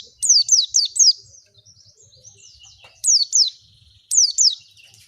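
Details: Lure song of an Oriental white-eye to make a bird open its beak and sing: a burst of four loud falling whistles, soft twittering, then two short pairs of similar strokes.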